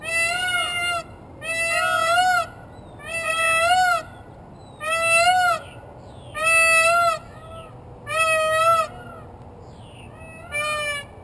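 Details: Rooftop peacock giving a series of seven loud, nasal, wailing calls, each under a second long and repeated roughly every one and a half seconds, with a low steady hum behind.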